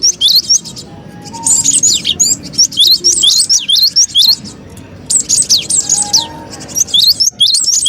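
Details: Lure recording of a cinereous tit for bird trapping, busy and noisy: rapid high chirps and downward-sweeping whistled notes in long overlapping runs, broken by brief quiet gaps.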